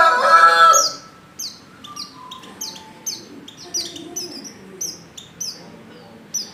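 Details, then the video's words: A rooster crows loudly at the start, then a female white-eye in heat keeps up a steady series of short, high, falling chips, calling for a male. "Burung | Pleci | betina | Birahi Memanggil jantan"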